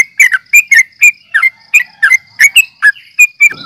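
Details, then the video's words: Nggaruda uplik tarung fighting call from a yellow-vented bulbul, used to excite rivals: sharp liquid chirps, several rising then dropping, about three a second, ending with a short low rustle. "trucukan gacor NGGARUDA UPLIK TARUNG"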